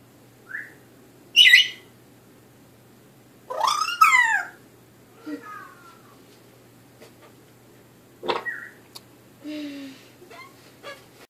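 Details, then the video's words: Young African grey parrot, ten months old, kept as a pet and learning new words: scattered short whistles, a loud sharp squawk, a harsh buzzy burst near four seconds, then soft chirps and clicks, low steady hum indoors. "Baby African Grey Captain Jack says "Arriba!""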